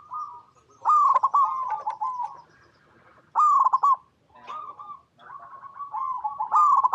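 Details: Local perkutut zebra dove giving repeated stuttering coo phrases, loud rapid pulses followed by softer rolling notes, roughly every two to three seconds.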